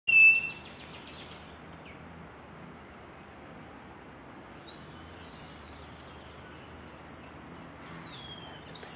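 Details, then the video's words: Scaly-breasted wren singing at Cocorna in the Magdalena Valley: pure, drawn-out single whistles spaced about two seconds apart, each on a different pitch. A steady high insect drone runs throughout. "Scaly-breasted Wren - Microcerculus marginatus"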